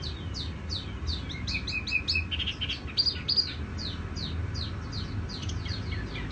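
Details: Tiểu mi songbird singing softly and resonantly: a busy, continuous stream of high, quick chirps and short whistled slurs, some brighter notes near the middle, over a faint low hum.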